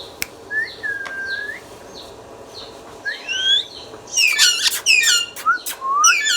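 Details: Pet talking ringneck parrot giving a long flat whistle and curving notes, then a loud burst of rapid squeaky chirps and short rising whistles at the end.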